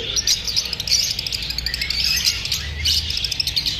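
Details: Lovebirds chirping after feeling unsafe while being filmed: a dense flock chorus of high, rapid, overlapping tweets and twitters, continuous throughout with short louder bursts.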